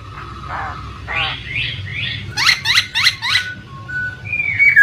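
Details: Poksay (laughingthrush) lure sound meant to make a silent bird respond, set over flowing water: varied whistled phrases, a rapid run of sharp down-slurred notes, then long clear level whistles rising at the end.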